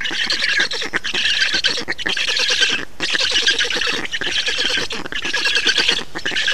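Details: Estonian black storks at a feeding, recorded 2 June 2019: bursts of rapid, rasping squawks, each lasting about a second, separated by short breaks and repeated about every second, harsh and nasal.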